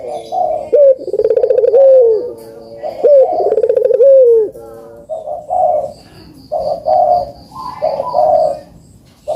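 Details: Puter dove song, used to encourage reluctant birds to call. Two rolling coos with drooping endings are followed by a string of short, rough, gurgling bursts spaced about a second apart.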